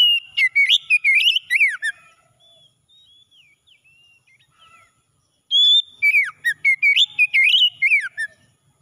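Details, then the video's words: Oriental magpie-robin morning song used to revive stressed birds: bright whistled phrases with rapid chirps and slurred notes, a quieter gap of soft scattered whistles, then another loud burst of varied trills. "KACER PAGI PEMULIH KACER SETRES MACET BUNYI LANGSUNG CEPAT GACOR"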